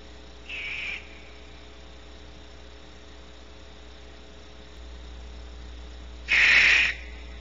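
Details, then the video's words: Two screeches from an unseen barn owl at Starr Ranch, California: a short, fainter hissing screech, then a louder, longer harsh screech about six seconds later, over a steady low hum. "Two screeches from invisible barn owl"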